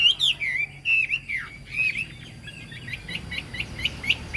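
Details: Chinese hwamei with a fig-leaf tail and turmeric-yellow bill, singing in the high 'cao cầu' style: loud slurred whistled phrases, then a quick run of short repeated rising notes near the end.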